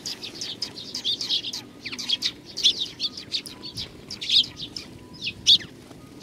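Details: At Tenmangu in Nakanoshima on 21 June 2020, sparrows coming to be fed give short bright chirps roughly once a second amid softer chattering and a low hum.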